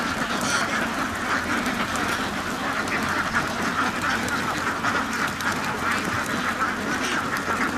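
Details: Crowd of farm ducks quacking together nonstop, a thick wall of rough nasal calls layered over one another throughout.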